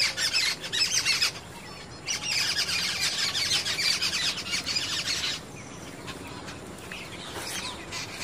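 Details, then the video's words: Jungle babblers chattering continually and loudly in a blooming confederate rose tree in a garden in Meerut, a harsh chorus of squeaky, grating notes in bursts then fading, other birds calling softly behind. "listen jungle babbler bird call"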